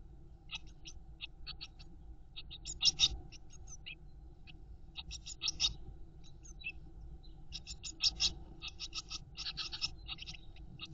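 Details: Eurasian blue tit chicks in a nest box, fed by their mother, produce bursts of brief, scratchy, high-pitched begging calls in irregular volleys, louder peaks around three, five and eight seconds, with faint low background noise.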